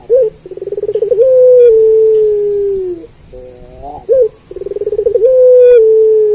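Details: A puter pelung turtle dove sings as a tutor for other pelung doves: a quick bubbling trill runs into a long, low, drawn-out coo that sinks slowly, with a brief upward slur before the next rolling trill.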